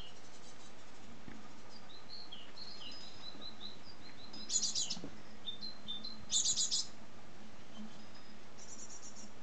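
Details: Young great tits on their first day out of the nest, lingering near it about an hour before flying off, give thin, high chirps and short hissy bursts in clusters every couple of seconds over a steady low rumble.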